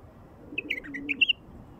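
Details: Bulbul song played to attract wild bulbuls: a short run of clear whistled notes, rising and falling, with a brighter double note near the end, over faint low background hum.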